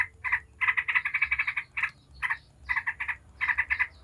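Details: Yellow-vented bulbul giving its 'ngebren' song as a lure for other bulbuls: short clusters of quick, grating notes separated by half-second silences, in four or five bursts.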